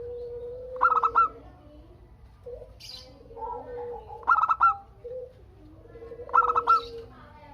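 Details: A local zebra dove sings to set other doves calling in reply: three clipped bursts of quick, ringing coo notes, separated by softer low cooing, with a brief high chirp in the background.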